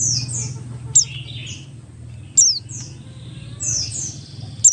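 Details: Oriental white-eye of the Buxtoni form used as a lure to get other white-eyes singing: sparse high slurred notes and brief down-swept phrases separated by pauses, with sharp clicks at intervals and a low background hum.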